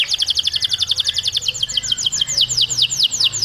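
A canary sings a fast rolling tour of bright, high notes, first a rapid trill, then slower descending sweeps repeated about four times a second.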